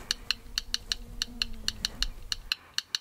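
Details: Male yellow rail in McGregor Marsh, a vast sedge marsh in Aitkin County, Minnesota, calling around 10:44 p.m. on June 13 within ten feet: dry, sharp clicks like tapped pebbles in groups of two and three, about five per second, over faint hum.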